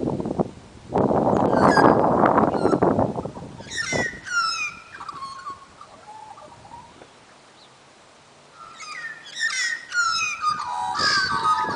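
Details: At Dimboola in Victoria, Australia, Australian magpies deliver warbling, flute-like phrases after a loud noisy burst; two bouts of quick tumbling whistled notes, separated by a quiet gap, end the recording.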